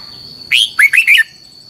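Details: Red-whiskered bulbul singing a training decoy song in the style called giọng kép xoắn dài (long double twisting voice): one loud phrase of four bright whistled notes. The first is rising, then three quick looping slurs. A steady high electronic tone runs underneath.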